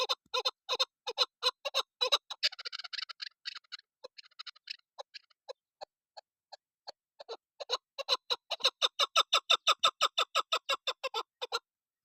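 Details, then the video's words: A female Desi chukar partridge, used as a hunting call, gives rapid clucking notes, about three per second, that speed into a steady chuk-chuk series, with a brief rattling burst early on. "Shikari Desi Chakor AwazFemale Madi awazشکاری چکورآوازمادی چکور آواز"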